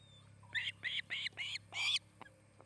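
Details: Osprey at a nest near Charlo, Montana, recorded by nest camera on 8 August 2018 in mid-afternoon; four short, sharp whistled chirps in quick succession followed by a louder, longer squealing note, over a low steady hum.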